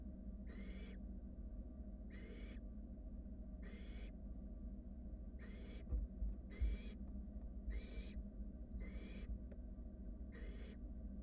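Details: Wild barn owl nestlings in a monitored nest box, huddling while a sibling swallows a rat, give harsh hissing snore-like begging calls, about eight broad noisy bursts repeated roughly every one to one and a half seconds over steady low hum.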